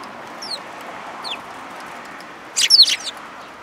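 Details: Sparrows recorded on 22 April 2022 along a route on the way out: a quick cluster of loud, sharp chirps near the end, preceded by a couple of thin, high, downslurred notes over a steady low hum.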